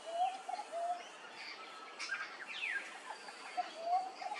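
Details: At Hervey Bay, Queensland, a peaceful dove gives a brief phrase of soft, rising cooing notes at the start and again at the end, with a sharp descending whistle from another bird in between.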